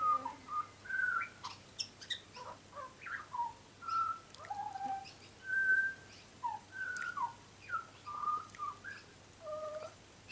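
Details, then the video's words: A young, very tame butcherbird, still a lighter black that darkens with age, sings a steady run of clear, fluted whistles, some sliding up or down, in short phrases about every half second, with no other sounds. "Young Butcher Bird is singing a song"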